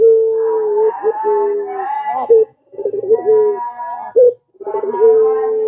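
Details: Pelung-type Barbary dove coos meant to prompt other doves to answer: sustained low notes broken by quavering rolled bursts, phrases separated by two short silences, faint second voice above.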